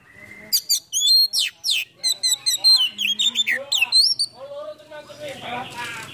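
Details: Oriental magpie-robin singing a full repertoire with tail spread in a cobra-like pose. A rapid, varied stream of whistles, trills and downslurred notes plays over lower chattering sounds, fading into a rough, noisy ending.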